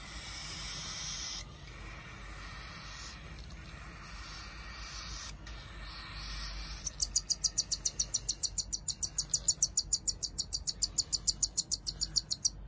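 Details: Captive cockatiel chicks, siblings of different sizes, begging at hand-feeding: faint rasping hiss first, then a rapid steady series of shrill peeps, roughly three every second.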